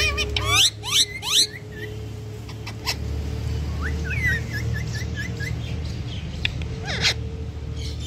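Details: Two pet talking rose-ringed parakeets, Mithu and Alex, give harsh squawks, then a quick series of short, rising, chirpy notes over a steady low hum.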